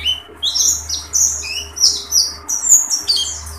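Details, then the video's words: An Oriental white-eye singing with its beak open pours out rapid, high, tumbling chatter in quick bursts, sharp twittering notes run together with barely a pause, over a low steady hum. "tembakan pleci"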